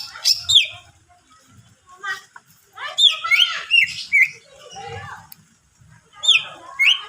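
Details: Varied chattering and whistling of a greater green leafbird singing to lure others of its kind. Dense bursts of flicked notes are separated by quieter stretches with faint low sounds.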